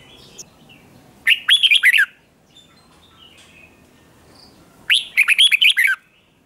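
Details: Red-whiskered bulbul in a singing contest, two bright phrases of rapid warbled, looping notes sliding between high and mid pitch, separated by a few seconds of quiet.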